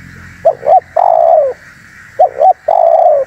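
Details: Spotted dove lure call for wild doves, two phrases each of two brief hooked notes and a drawn-out, slowly falling coo, with a faint hum underneath.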